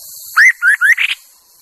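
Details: Decoy Chinese hwamei used for luring delivers a quick phrase of four clear, upward-sweeping whistles, the last one slightly buzzier, against a faint background hiss.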